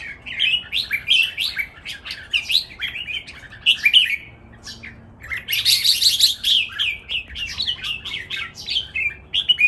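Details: Red-whiskered bulbuls kept in cages, three birds singing against each other as a training model song: continuous cheerful warbling of clear whistled syllables, a brief pause midway, then louder tumbling phrases resume.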